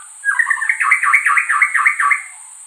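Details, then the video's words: White-rumped shama from the Indian subcontinent singing: a loud run of about eight rapid, repeated looping whistled notes with a warbling, slurred quality, lasting roughly two seconds, over a steady high background hiss. "White Rumped Shama Singing"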